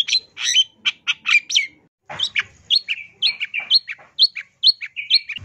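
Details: Long-tailed shrike training song from 2022 with 'isian tambakan' fill: a dense burst of scratchy notes, a short gap, then quick repeated upward-curving whistles over a faint hum.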